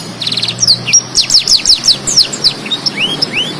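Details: Black-throated canary in lively full song, kept for tutoring other canaries: a rapid high buzzy trill opens, then a run of sharp descending whistled notes and a final pair of rising slurred whistles.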